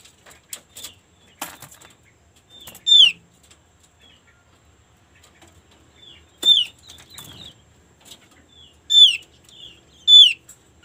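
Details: Opyor white-eye sound used as a lure to prompt birds of the same kind into singing: short, loud, high whistled notes slurring downward, given in spaced bursts, with softer twittering and faint rustling between them.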